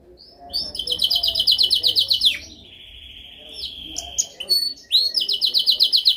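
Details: Canary's dominant song for training: a loud rapid trill, a long steady high whistle, a few sharp chips, then another fast rattling trill.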